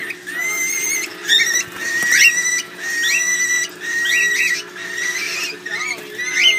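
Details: Baby cockatiels at feeding time in Seattle beg with rasping, wheezy chirps that pulse in quick bursts about once a second.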